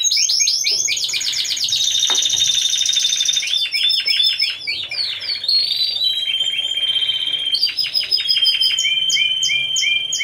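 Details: A Timbrado Español canary team of four performing at a November 2015 singing competition. The varied sequence moves through rolls, a held bright whistle, clicking notes and metallic trills, changing phrase every second or two.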